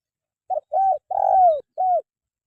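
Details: Spotted dove call meant for tutoring caged songbirds that rarely sing: a single mellow four-part phrase, a brief coo, a rounded coo, a long falling coo and a closing rounded coo, on a clean background.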